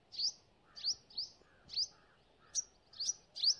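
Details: A sunbird in forest gives bright, rising chip calls, singly and in pairs, about two per second over soft background hiss.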